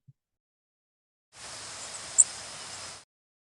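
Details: A single Blackburnian Warbler flight call: one very brief, thin, high note, sweet rather than harsh, with modulations shrinking as it rises slightly, set against a steady background hiss.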